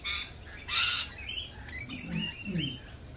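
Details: Lorikeets at a cafe: a loud, grating burst of screech followed by thinner rising and falling squeaky notes, some low murmuring underneath.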